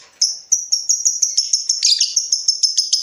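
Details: Lovebird in breeding mood calling to provoke a rival: a fast run of sharp, high chirps, about five per second, merging into a steady chattering stream with one brief harsher burst midway.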